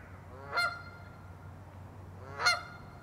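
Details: Canada goose giving two sharp, nasal honks about two seconds apart, each rising briefly then clipped, rich in harmonics, with a constant low hum beneath.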